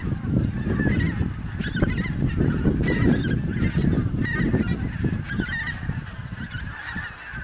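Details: A wintering flock of Bewick's swans with geese at Kaprijke–Watervliet, Meetjesland, Belgium, on Christmas Day 2013, gives overlapping soft, yelping honks in irregular bursts over a steady low rumble of wind.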